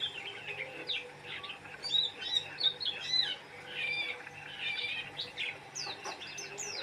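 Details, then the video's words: Oriental white-eye in excited song: a jumbled warble of thin whistles and trills rising and falling, ending in sharp high downslurred chips, with a faint hum in the background. "Burung pleci gacor"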